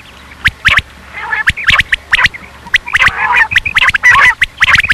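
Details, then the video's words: Quail (batair; tags mention rain quail and hunting) give sharp, harsh clicking notes in quick, uneven, often paired bursts, several birds overlapping with a rasping, squawky edge. "Batair sound/Batair cassette"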